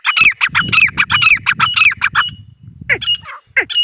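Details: Male grey francolin calling: a fast run of loud, shrill, harsh notes, about four a second, then a pause before a few sharper rising-falling shrieks, over a low rumble.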